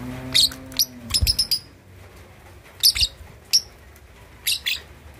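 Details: Lovebird aged 2.5 months learning ngekek chatter, meant to provoke rivals: bright, piercing chirps in quick bunches of two to four, with gaps between, and a brief low tonal sound at the start.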